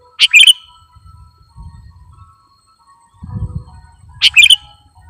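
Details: Sooty-headed bulbul (kutilang) lure singing: two matching phrases about four seconds apart, each a sharp chip and liquid gurgling warble, with low rumbling sounds in the gap.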